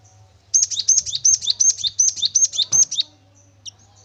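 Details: Cinereous tit in lively, continuous song, used as a lure to get other birds to sing: about ten quick two-note phrases, a sharp high whistle dropping to a lower slurred note, about three per second, then stopping; faint low hum beneath.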